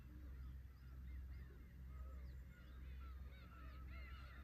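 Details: Black-tailed Gulls calling at Horozuki fishing port in Imabetsu, Aomori, Japan: many short mewing, slightly bent cries overlapping from several birds, set against a steady low rumble of waves.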